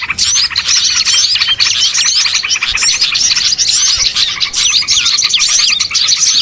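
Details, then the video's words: Excited chorus of small birds as a catching lure: sharp, rapid upslurred chips and twitters crowding together, with short lulls at intervals. "MP3 PIKAT BURCIL AMPUH BIKIN PANEN BANYAK BURUNG"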